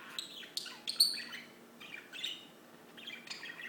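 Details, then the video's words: Birdsong, loud and close, made of thin high whistles and quick twitters. One piercing whistled note stands out near the start, followed by softer tumbling phrases and a final chattering burst, in a quiet setting. "Just singing birds"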